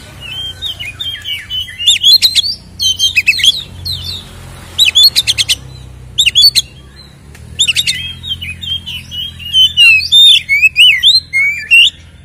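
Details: White-rumped shama singing a varied fighting-style song used to provoke caged birds; clusters of sharp chips alternating with twisting whistled phrases, several bursts separated by brief pauses.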